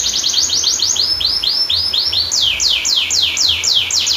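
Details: Canary master song with long rolls, meant to train and stimulate canaries that have stopped singing: continuous quick trill of high downward-sweeping notes, shifting to a slower, broader repeated phrase halfway through, over a faint low background hum.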